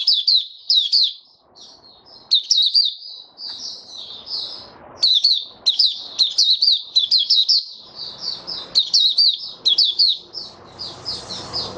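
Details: Caged white-eye in full song: long runs of rapid high twitters and slurred chirps in repeated bursts, with a brief pause early on and intermittent low rustling and handling noise.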